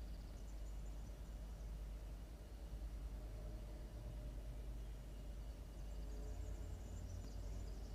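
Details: Early morning at 06:02 on 27 October 2022: a continuous low traffic rumble with faint hiss, and no animal sounds.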